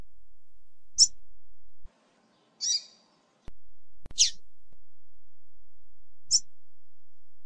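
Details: Female double-collared seedeater calling to stimulate the male: four short, high, sharp chips spaced irregularly over several seconds, some slightly buzzy, with a few faint clicks and a constant low background hiss between notes.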